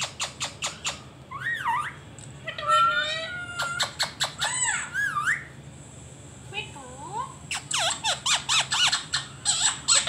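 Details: Talking pet rose-ringed parakeet watching itself on screen: quick series of sharp clicks, wavy squealing calls, a short quiet pause, then more rapid harsh pulses.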